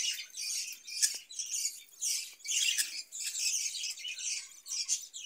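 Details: Captive budgerigars in a cage give bursts of high chirpy warbling with squeaks and rapid twitters, rising and falling in loudness, with short gaps between bursts.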